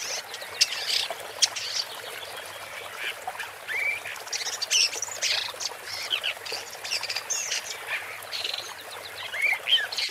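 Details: Woodchat shrike (Lanius senator) song: a busy, scratchy jumble of high chirps, trills and short whistles with buzzy notes, delivered in irregular bursts with brief pauses, against faint background hiss.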